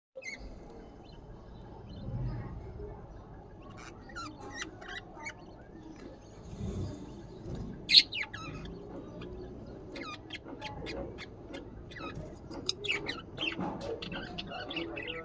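Budgerigars chatter with quick, scratchy chirps and sharp high tweets over a low background hum.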